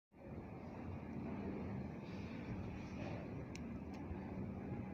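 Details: Outdoor traffic roar with a broad low rumble like passing vehicles or an aircraft, plus two brief sharp clicks near the end, and no animal voice heard.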